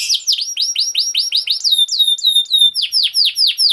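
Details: Canary song meant to teach young canaries to sing: a steady series of sharp downslurred chirps at about five per second, giving way to longer level whistles and deeper swooping notes.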